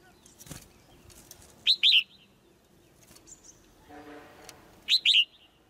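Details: A female white-eye in a cage gives two quick high double chirps, slurring downward, meant to push the male into louder song; soft clicks, rustling and a brief low buzzy hum sound between them.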